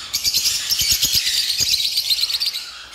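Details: Lovebirds at a bird farm making a rapid, high, twittering chatter of shrill squeaks, with soft low knocks and taps mixed in.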